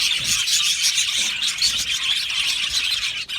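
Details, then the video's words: Crowd of Australian budgies in an aviary chirping and warbling together, shrill overlapping notes and a few clear whistled peeps over a continuous high chatter, ending with a brief dip. "Budgie singing and chirping sounds"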